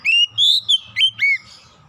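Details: Lure song of an oriental magpie-robin, played to get birds singing: five loud, pure whistles in quick succession, some level and drawn out and others with a quick dip or upward slide, backed by a faint low hum.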